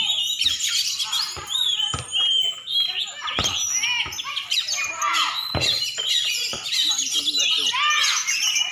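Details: Champion oriental magpie-robin from Aceh in a dense, varied song of sharp chirps, trills and whistled phrases, broken by a few short clicks.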